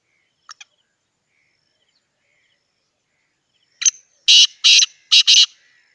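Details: Black francolin, a hand-tamed pet bird: two faint ticks, a silence, then loud, harsh, rasping notes in a rapid series of about four bursts over a second and a half, in a quiet setting.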